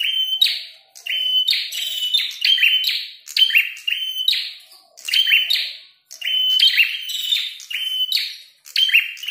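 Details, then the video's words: Prinia of the red-headed type, singing loudly and fighting: repeated phrases of snapping clicks joined to flat, buzzing notes, coming in waves about every one and a half seconds over nine seconds. "Prenjak tarung gacor | prenjak kepala merah"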